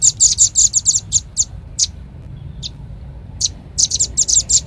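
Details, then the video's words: A red-billed leiothrix lure call opens with a quick burst of high, sharp chirps. The chirps thin out to a few isolated notes with gaps, then another brisk run of piercing chirps closes it. "Suara pikat burung rambatan paling ampuh | rambatan paruh merah"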